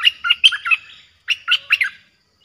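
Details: Streak-eared bulbul lure song, described as fierce and played to draw in aggressive wild birds: two bursts of loud, chirpy, warbled notes, the first of about five notes and the second of about four, separated by a short pause.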